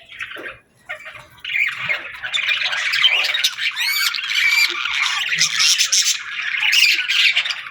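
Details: Budgerigars in the afternoon giving a busy chattering warble of chirps, squeaks and whistled notes, building after a quieter start into continuous overlapping chatter.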